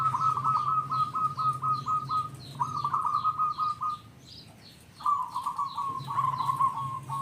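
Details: Zebra dove singing to attract other zebra doves: two runs of evenly spaced staccato coos, a short silence, then a louder warbling phrase, with other birds chirping high and a low constant hum.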